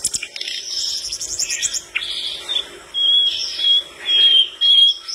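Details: Singing flycatcher said to trigger other birds' replies: scratchy high twitters first, followed by four clear steady whistled phrases, each about half a second long with short gaps.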